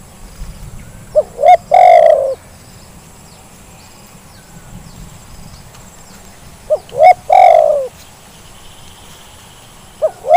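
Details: Lure recording of a Zebra dove to get lazy birds calling. Two full phrases about five seconds apart, each with brief clipped coos leading into a drawn-out, purring, gently descending note. A third phrase starts at the end.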